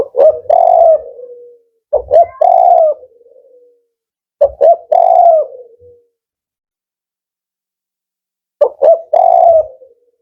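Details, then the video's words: Repeated cooing by a 'Kuk 4' male spotted dove with a firm, rhythmic voice: four phrases of two brief notes leading into a long mellow coo, the first three close together, the last after a longer gap. "Tekukur Kuk 4 Jantan"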